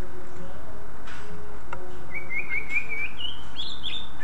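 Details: Greater green leafbird song meant to provoke other leafbirds: after a few faint clicks, a continuous rapid warbled trill that steps upward into higher wavering whistles, with steady background hiss.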